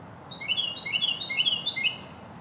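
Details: Carolina wren in New York delivering a bright, rapid series of repeated whistled triplets, about five or six phrases in a row, sharply ending into quiet.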